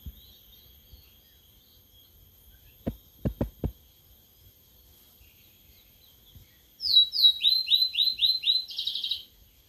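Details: Sulingan laut, a newly kept bird singing after three days in care. Three low knocks come first. Near the end follows a rapid series of high, downward-slurred whistles, then a buzzy flourish.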